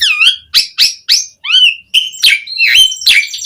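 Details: Asian pied starling singing continuously as a lure for other starlings: a series of loud, clear whistled notes, each swooping down then up, roughly every half second, ending in mixed harsh and whistled calls.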